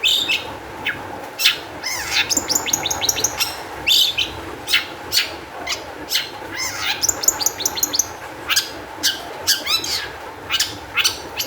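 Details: Long-tailed shrike song as a lure for other shrikes: mixed warbling chirps early on, then loud, sharp calls repeated about every half second through the rest, with a low steady hum behind.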